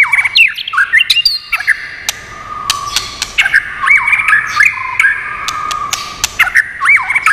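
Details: White-rumped shama song with clicking, for stimulating and training birds: bursts of curling whistles and crisp clicks around long level whistled notes, repeated over several phrases.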